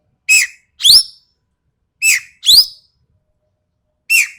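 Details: Harsh, sharp calls of a Sumatran ekek keling: loud rasping notes sliding downward, given in pairs with roughly a second between them, then a single final note; quiet background.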